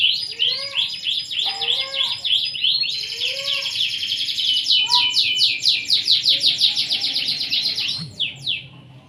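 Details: Canary singing energetically: quick descending chip series, then a long dense high trill, followed by rapid sharp repeated notes at a fast even pace, ending with a few scattered chirps as the song fades.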